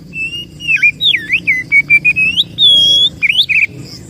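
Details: Oriental magpie-robin (kacer) singing a lure song to attract birds: a continuous, loud stream of varied whistles, short swooping slurs, level notes and one long high sustained whistle, under four seconds.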